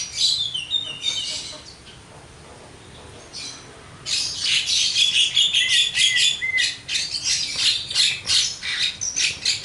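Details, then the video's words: Kept Javan myna in full song, a quiet start giving way to a long run of rapid harsh chatters, squeaky whistles and buzzy notes packed closely together. "burung jalak kebo gacor,full materi"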